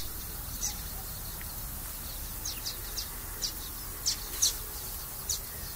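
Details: Common waxbill song: thin, high chirps come irregularly, a few in quick pairs, slightly louder toward the end, over a faint, steady hiss.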